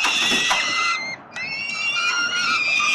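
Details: Several peregrine falcon chicks crying for food while their father feeds them in Melbourne, Australia; steady high squealing wails, a short gap, then the chorus resumes loudly.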